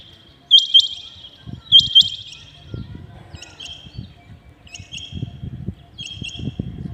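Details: Rain quail calling early in the morning: two loud paired metallic notes, then three fainter double notes spaced about every one and a half seconds, over low rumbling background noise.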